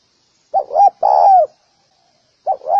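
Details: Spotted dove, recorded for training doves, giving one full phrase of two short coos and a long sliding coo, then the start of another phrase, against a silent background.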